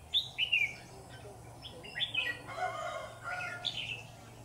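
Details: Red-whiskered bulbul at a bulbul trap, singing short liquid whistled phrases that rise and fall, repeated in quick bursts, with a lower warbling passage midway and faint background noise.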